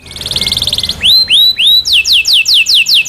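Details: Local canary song meant as a tutor for songbirds: a rapid buzzy rattle, then three rising whistled slurs followed by a string of clear descending whistles.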